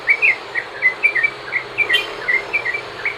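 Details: Sooty-headed bulbul, a lure recording to make other bulbuls sing: brief run of short chirpy warbled notes, loosely spaced more than once a second, with a faint high hiss behind.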